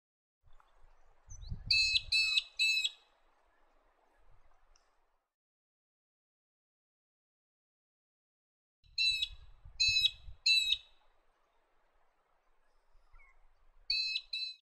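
Little eagle giving bursts of three sharp, high whistled notes that drop in pitch, repeated after long pauses, with low wind rumble beneath.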